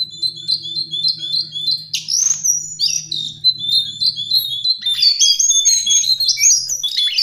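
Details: Tutoring recording of lesser shortwing (Brachypteryx leucophrys) song: a steady run of short, high ticking notes gives way to loud, jumbled, high-pitched warbling with rising and falling slurred whistles, with a faint low hum beneath.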